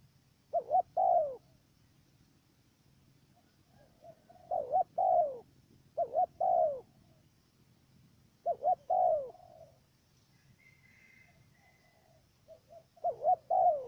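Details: Decoy dove used for trapping wild doves in Cà Mau, Vietnam, giving a stuttering coo: clusters of two or three low, mellow hooting notes repeated about every four seconds, over a quiet background with faint low hum.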